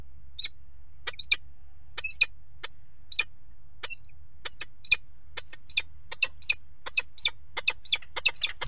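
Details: Peregrine falcon at a nest box on a water tower, 5 February 2018, mating on the ledge: sharp, clipped calls repeated in a series that speeds up toward the end, over a low steady background hum.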